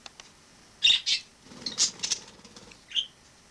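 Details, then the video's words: Wild sparrow living indoors in a home after entering through a balcony in autumn 2006; loud high chirps in quick pairs, a burst of softer rustling notes, then one last clear chirp. "Wild sparrow in my home"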